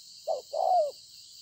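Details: Spotted dove, a newly wild-caught field bird, recorded 26 September 2020: one brief coo phrase with a short note followed by a longer, drawn-out coo that sinks at the end, over a faint steady high hiss.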